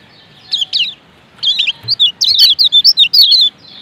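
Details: Lemon-bellied white-eye male from Lombok giving a few high chirps, then a rapid, steady string of thin, slurred notes lasting about two seconds.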